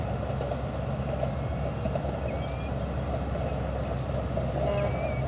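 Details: Killdeer recorded on a Panasonic TM90 camcorder: thin, high drawn-out notes, each sliding slightly downward, repeated about once a second, with a steady low rumble of background noise underneath.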